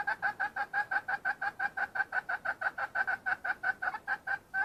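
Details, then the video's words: Continuous, rapid clucking of a wild red junglefowl hen, clipped nasal notes repeated about three times a second without pause throughout. "Suab poj qaib qus seev zoo kaw"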